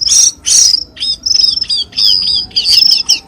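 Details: Cucak keling lure sound, played to make caged birds of this kind start singing: loud, high whistled notes in short bursts, some rising and some falling, with chirpy breaks between phrases and no other sounds.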